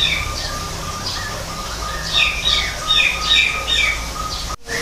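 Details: Greater green leafbird in an artificial forest aviary, giving harsh squawky chirps repeated about two or three times a second in a rhythmic run, over a steady thin tone and a low hum.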